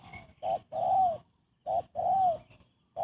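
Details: Close spotted dove coo used as a trapping lure; two full phrases of a short clipped note followed by a long, smooth, slightly falling coo, about a second apart.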